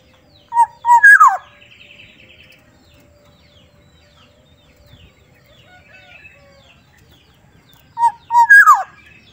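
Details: Black-naped oriole from Sumbawa with a soft voice delivers a mellow phrase, two short whistles then a falling slide. After a quiet gap of about seven seconds it repeats the phrase.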